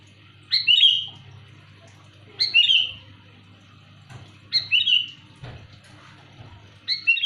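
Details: Loud, clear sooty-headed bulbul call used for luring birds: four bright phrases, each a crisp rising note tumbling into a short bubbling downslur, repeated roughly every two seconds over a soft low hum.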